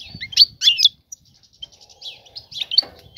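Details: A female goldfinch ready to mate calls the male with quick, high twittering bursts, then softer rapid ticking notes and another bright burst of chirps.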